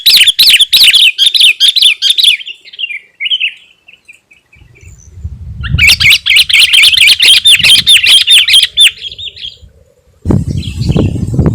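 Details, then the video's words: Sooty-headed bulbul song for luring wild birds and provoking rivals: rapid chattering notes trail into softer whistles, a quiet gap with low rumble, then another loud fast burst and a thud of noise. "suara kutilang gacor 💯 dapat memancing emosi lawan si burung⁉️Pycnonotus aurigaster"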